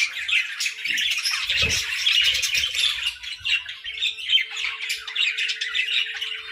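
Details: Budgerigars breeding in winter squawk and chatter nonstop in a thick chorus, with a low thud and some rustling early on and a faint hum later.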